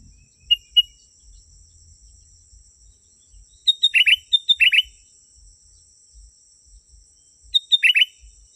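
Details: Sooty-headed bulbul, genuine recording meant to attract wild birds: soft paired whistles, then bursts of chattering, buzzy notes mixed with clear whistles, repeated after a pause, while a steady high insect drone continues.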